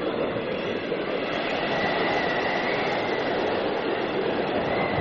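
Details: Steady broadband roar like wind or engine noise fills the recording, with no clear animal call standing out.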